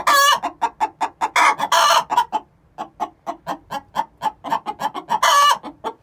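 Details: Pair of six-month-old hens calling the egg song ahead of laying: fast, steady clucking with several loud, strained squawks, one near the start, one around two seconds and one near the end.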